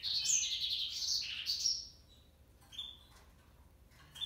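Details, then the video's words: African yellow canary male gives a lively two-second phrase of high twittering and warbled trills, then falls quiet apart from two brief single whistled notes. "African yellow canary male"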